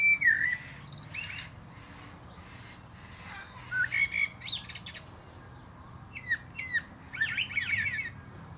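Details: Common blackbird perched atop a plum tree delivers fluted, warbling phrases, each mellow low whistle followed by high squeaky twitters, in three separate bursts with quiet gaps between.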